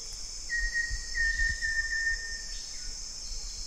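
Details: Banded yellow robin or olive-yellow robin (Gennaeodryas placens) giving a level, high whistled note broken into quick wavering segments for about two seconds, with a continuous high insect drone behind.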